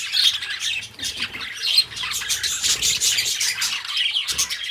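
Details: Budgies, a pair of pet companions, singing and talking in a fast, continuous warble of scratchy twitters, squawks and thin whistles, with a few soft low knocks.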